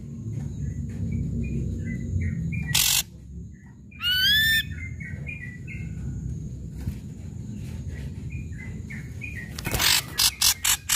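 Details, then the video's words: Ashy drongo singing loudly, used as a lure for silent drongos: a varied run of short mid-pitched notes, a loud ringing whistled phrase and harsh rasping bursts over a steady low rumble. "srigunting abu abu gacor"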